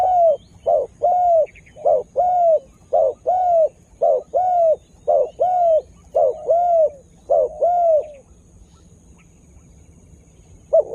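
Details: Spotted dove used as a lure bird to attract wild birds, just starting to call: a run of ten mellow coos, each short note followed by a longer falling one, evenly repeated, then quiet.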